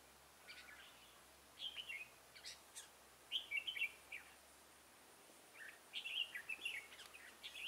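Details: Red-whiskered bulbul, a decoy bird used for trapping, gives short bright warbled phrases of slurred whistled notes in three bursts, faint against steady background hiss.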